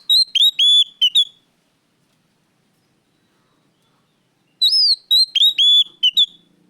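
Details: Loud, clear lure song of an actively singing oriental magpie-robin: two quick bursts of bright, chirpy whistles separated by about three seconds of silence.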